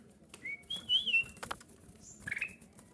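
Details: Kutilang emas bulbul song used to lure others. A quick run of clear whistles rises and then slurs downward, followed by a short bubbly phrase. Light rustling and clicks sound in between.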